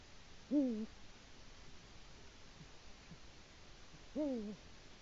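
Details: Calling for its mate from the nest, a male Eurasian eagle-owl in Latvia gives two low, descending hoots about three and a half seconds apart, captured by a live nest cam on an early March 2018 morning.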